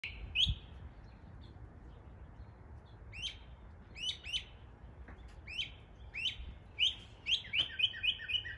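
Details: Northern mockingbird in an East Tennessee neighborhood imitating local birds: a first sharp note, then a run of repeated downslurred, ringing chirps, spaced under a second apart and coming faster toward the end.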